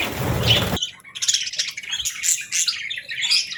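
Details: Real budgies enjoying the morning, feeding and bathing, with a female chirping gently: after a brief burst of broadband noise, lively high chirps and warbling twitters follow steadily.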